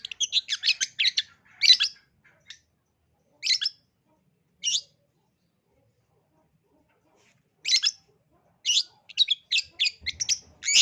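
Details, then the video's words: Long-tailed shrike song meant to trigger singing in young shrikes: clusters of sharp, high, scratchy chirps separated by long silent gaps, then a dense closing burst of rapid notes. "Pancingan Burung Cendet Gacor Dor Terbukti Ampuh dan Gacor Pencetak Pentet Calon Juara"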